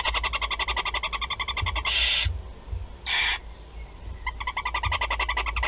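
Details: Young barn owls, four siblings at the Théding nest being fed on 16 July 2020: loud rapid ticking trains at the start and end, framing two short rasping hisses.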